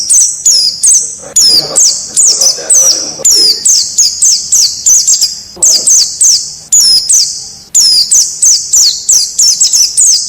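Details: A wild forest white-eye serving as a training model for caged birds pours out dense, rapid strings of shrill, falling chirps with hardly any gaps.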